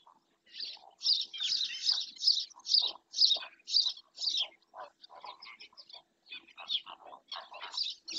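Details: Black-winged stilt at Doñana National Park, heard through a webcam, gives a long series of sharp, shrill, yelping notes, about two per second, that gradually fade and grow more scattered.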